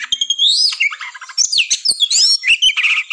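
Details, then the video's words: Kacer, the Oriental magpie-robin, in aggressive tarung ngobra singing: a loud whistled note swooping upward, then a scratchy buzzy burst, more looping clear whistles and a harsh rasping chatter at the close. "TES MENTAL KACER TARUNG NGOBRA"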